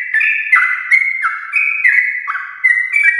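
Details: Brief stretch of a sooty-headed bulbul's long morning 'ropel' song, meant to stimulate other bulbuls to sing: steady, rich warbling of short slurred notes, stepping up and down in a continuous flow.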